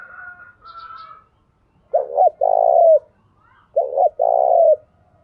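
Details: Spotted dove decoy calling in the morning to provoke males: two deep coo phrases, each two short clipped notes then a long, steady, low coo, with a faint higher chirping bird at the start.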